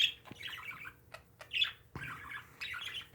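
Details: Warbling parakeet chatter from pet birds: three rolling bursts of scratchy, twittering notes, each lasting about half a second, separated by brief pauses and soft clicks.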